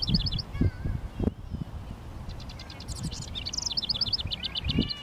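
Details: Male house wren marking its territory around a honeysuckle fence and shrubs, sunny 19 °C day: a short burst of high trilled notes, a pause with low thumps and rumble, then a longer bubbly, chattering phrase of quick repeated notes.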